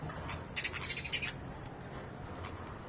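House sparrows give a quick run of harsh, bright chirps over about a second, then fall quiet against a steady low background rumble.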